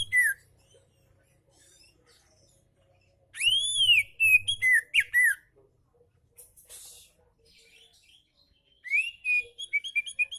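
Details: Oriental magpie-robin singing calmly, used to encourage reluctant magpie-robins to sing: two bursts of varied whistled phrases with a long arching note, swooping slurs and quick repeated chips, separated by quiet pauses with faint notes.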